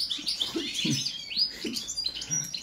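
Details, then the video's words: Song check of a European goldfinch (balcanica): short, bright twitters and upward-slurred chirps, with soft low thuds beneath them. "Kontrola pesme, štiglić, češljugar, grdelin n, carduelis balcanica"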